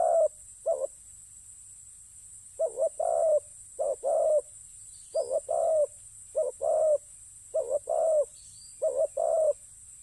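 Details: Low cooing of a spotted dove used in ground decoying, a run of two-part phrases: a clipped opening note and a fuller purring coo, repeated steadily with short gaps, quiet background with faint hum.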